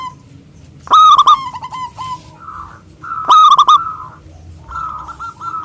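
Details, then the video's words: Local zebra dove singing to call rivals, with a large voice. Two loud, harmonic coo phrases each break into trailing short notes, followed by softer, drawn-out cooing. "perkutut lokal gacor suara besar super ampuh memanggil lawan EMOSI MANGGUNG"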